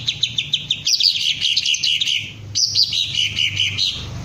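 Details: Green leafbird in training to raise its crest and give full ngentrok song: two loud, rapid bursts of high, sharp twittering notes, each opening with a bright upward note before tumbling down, over a faint low hum.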